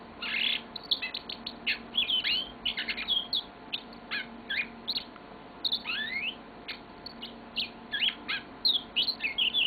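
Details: Singing pet yellow-fronted canary with an unbroken, lengthy warble: quick high twitters, rising whistles and rattling trills following one another rapidly for nearly ten seconds indoors.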